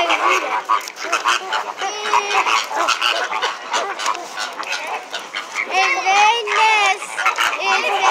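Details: Flamingos at SeaWorld making a loud racket: a busy chorus of clipped honks, then near the end a few louder, longer nasal calls that rise in pitch.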